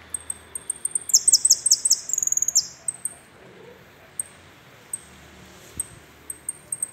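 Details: Finch song: very high, thin, rapid chirps with a fast, slightly descending trill of repeated notes in the middle, then scattered single sharp ticks against a low background hiss.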